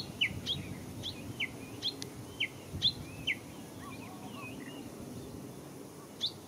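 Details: Japanese bush warbler recorded at Showa Kinen Park on 10 April 2021: scattered, fairly faint high chirps sliding downward, irregularly spaced, with softer twittering from other birds and steady low outdoor noise.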